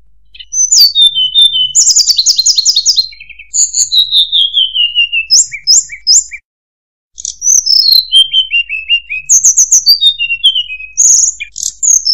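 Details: Murai buluh (tledekan) song in quick varied phrases of high whistles, rapid stuttering trills and long descending slurred runs, broken by a brief silent gap midway.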